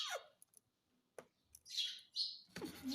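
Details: A talking parrot saying "Mummy Mummy" gives harsh, scratchy squawks and short, high, whistled speech-like bursts, broken by a few faint clicks.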